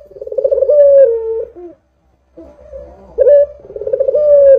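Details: Barbary dove lure call meant to get doves calling: a long rolling coo, a brief pause, then two more drawn-out coos rising and falling in pitch, with a low steady hum behind.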